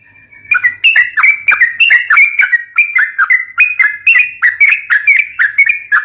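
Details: Yellow-vented bulbul song used to lure and stimulate young birds: a fast, continuous run of bubbly, slurred whistled notes, each sliding around a bright mid pitch, about three notes per second, clean background.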